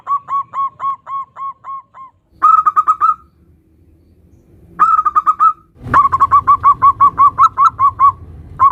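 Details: Local zebra dove singing nutut variations, used as a lure for other zebra doves: evenly spaced ringing coos, then quicker rolling bursts, ending in a long fast run of bright notes.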